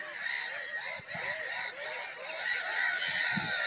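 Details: A crowd of black-headed gulls, their harsh, arched squawks rising and falling in quick succession, about three a second, layered over a steady background din of more gulls and occasional low knocks.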